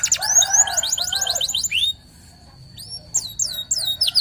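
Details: Local canary in full song: fast trills of high, downward-slurred whistles for about two seconds, a pause with a faint thin steady tone, then scattered sharp swooping notes resume.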